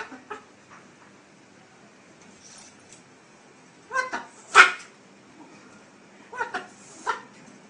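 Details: Parrot swearing: short harsh, harmonic voiced bursts near the fourth second, a louder broadband squawk just after, then two more clipped, word-like bursts toward the end against near silence.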